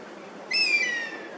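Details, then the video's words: An Oriental honey buzzard wintering in Singapore, perched at its roost, calls repeatedly in protest as Oriental pied hornbills invade. It gives a single high, drawn-out whistle that lifts briefly, then slides gently downward. Its circling companion may be audible. "Bird Call: ORIENTAL HONEY BUZZARD"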